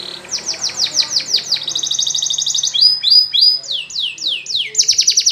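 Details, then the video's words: Singing canary delivering varied phrases: a fast run of falling whistles, a buzzy rapid trill, then clusters of sliding notes and a final quick rattle of high tones. "Canary's Most Powerful For Training"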